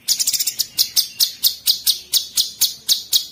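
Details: Cucak cungkok bulbul in 'tembakan' song: sharp, high, clicking notes, a quick flurry first, then steady single chips about four per second.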